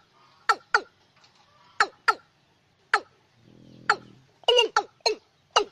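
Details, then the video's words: Watercock call played as a night lure, for use in lunar months six to ten, 2024 recording: sharp, clucking notes that drop in pitch, given singly and in pairs, with a brief low buzzing hum near the middle. "Tiếng Cúm Núm Đôi Đánh Đêm Hiệu Quả"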